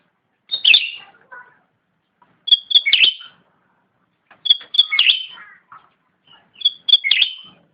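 Ruby-throated Bulbul singing short, bright phrases of sharp whistled notes with a chattering tail, repeated about every two seconds; nothing else is heard.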